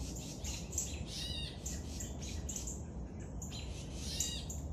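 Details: Raspy, insistent begging buzzes from a young woodpecker being fed, delivered in quick pulses about three per second, pausing briefly near the middle, low rumble behind.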